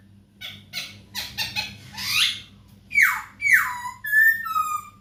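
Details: Masked laughingthrush used as a tutor for captive songbirds: scratchy clicking notes building into a harsh burst, then two loud falling squeals and drawn-out level whistles; low hum underneath.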